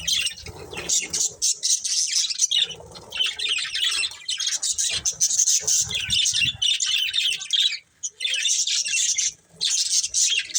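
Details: Budgerigars, a colourful breeding pair, chirping in near-continuous fast high warbling and chattering, with brief pauses before resuming the busy twittering.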